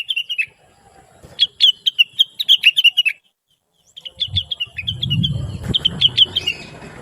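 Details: Chattering blue-winged leafbird, used as a master recording for training other songbirds. It gives rapid strings of high twittering notes in bursts with a short silence between them. A low background rumble rises in the second half.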